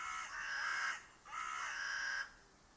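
A Eurasian Collared Dove gives two harsh, nasal, drawn-out calls, each lasting about a second with a short gap between.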